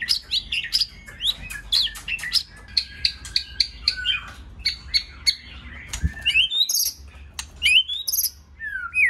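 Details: White-rumped shama song for training shamas to sing in many voices: a fast series of short repeated notes, then sweeping high slurred whistles with brief gaps.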